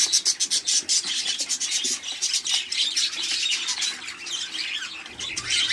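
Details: Budgerigar flock at a Pakistani breeding farm holding 100 pairs: rapid, pulsing squawks and grating chirps in a steady, busy stream of high-pitched chatter.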